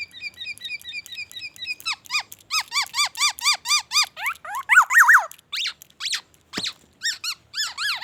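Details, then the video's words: Black-naped oriole in full song, its repertoire filled with white-rumped shama mimicry. Soft, quick high ticks open the song. Rhythmic downslurred whistles follow in a regular series, then louder tangled swoops and scattered sharp notes with short gaps. "SUARA BURUNG KEPODANG EMAS GACOR BONGKAR ISIAN MURAI BATU"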